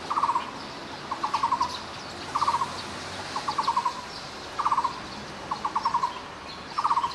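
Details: Endemic Taiwan barbet of lowland to mid-elevation forest in Taiwan, uttering repeated short series of rapid hollow notes at steady low pitch, about seven series in seven seconds, quiet natural background.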